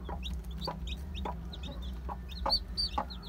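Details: A flock of one-day-old Aseel, Heera, Java and Muska chicks cheep in thin, high chirps, some louder and piercing near the end, over intermittent knocks and a low droning hum.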